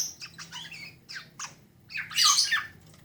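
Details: Young black-naped orioles chattering in the 'ngeriwik' style: a few scratchy chirps, then a loud harsh rasping squawk near the end.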